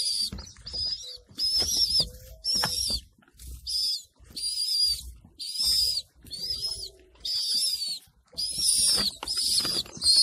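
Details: Inside a homing pigeon loft where the young are being fed: high, shrill squeals sound in regular bursts about a second long, with short pauses between. Faint low cooing and shuffling can be heard underneath.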